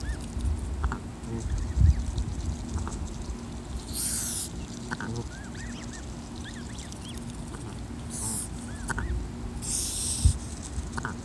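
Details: Mother goose hissing to defend her goslings, which grow increasingly brave; bursts of breathy, broadband hissing come at about four, eight and ten seconds, with soft rising gosling peeps scattered throughout over a low rumbling background.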